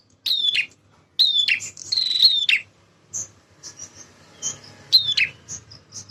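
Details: Vigorous male bar-winged prinia song for prompting young birds to respond: three loud buzzy phrases early on, then fainter scattered chips and a final buzzy burst.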